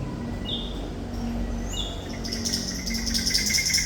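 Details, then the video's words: Thrush nightingale (Sikatan Londo) song in active, continuous singing: faint scattered whistles, then a run of rapid buzzy, repeated high notes. The song is set against a constant low background hum. "Sikatan Londo Thrush Nightingale Gacor"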